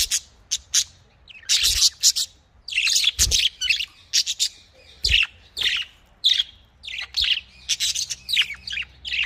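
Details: Caged budgerigars, called Australian parrots, kept for breeding, giving dense bursts of bright, scratchy chirps and squawks in quick irregular series, with low thumps from the cage beneath.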